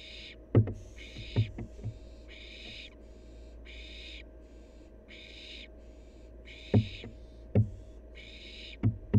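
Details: Wild barn owl fledgling at play, giving harsh, breathy hissing screeches about half a second long, roughly eight in nine seconds at uneven spacing, with dull knocks and thumps of movement and a steady low hum behind.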